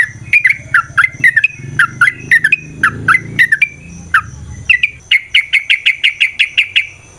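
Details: Yellow-vented bulbul (trucukan) song meant to provoke a fighting response; bubbling paired notes repeated steadily, ending in a rapid run of identical chirps, with a low background hum.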